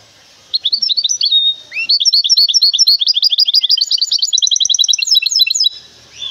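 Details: Caged goldfinch hybrid from the Moroccan city of Temara sings a long, varied, rapid twittering song of sliding and trilled notes, a brief pause near the start, then dense chattering phrases.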